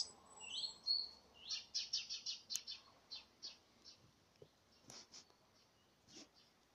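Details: Common redstart (Phoenicurus phoenicurus) gives its alarm warning of danger: a thin high whistle, then a run of short, sharp ticking notes about once a second, faint background noise; chance recording; finding: Common redstart.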